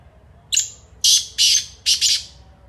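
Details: Kala teetar, the black francolin, calling loudly and close: a thin high note with a trailing whistle, then three harsh, grating bursts, the final one split in two.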